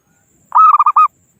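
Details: Single phrase from a local wild zebra dove calling rivals, used to lure birds for trapping: a half-second burst of rapid, rolling coo notes.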